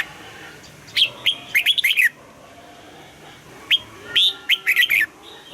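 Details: Red-whiskered bulbul singing its morning song in the double-note, old-forest style used for voice training: two phrases of bright whistles and rapid warbled notes, the second opening with a short lone chip.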